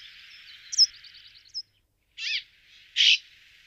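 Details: Brambling giving two short, harsh, buzzy rasping notes about a second apart. A quick trill of other high chirps and a soft background chorus of birds are heard earlier.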